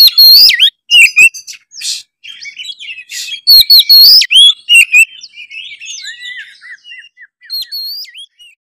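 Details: Gacor Oriental magpie-robin used as a lure to get other magpie-robins singing: loud, quick whistles, swoops and harsh chatter, easing into a softer stretch of short, repeated sliding whistles.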